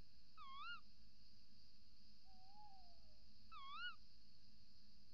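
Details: Tawny Owls at a nest box before dawn on 28 December 2018 (around 05:43): the female calls at the entrance hole and the male calls outside. Two sharp, rising kewick-like calls about three seconds apart, with a lower, drawn-out falling note between them, over a steady electrical hum.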